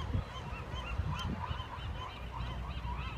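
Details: Marbled godwits in flight on a fall day in Westport, a flock calling together: many short, nasal, arched notes overlap in a steady chatter, over a deep rumble of wind.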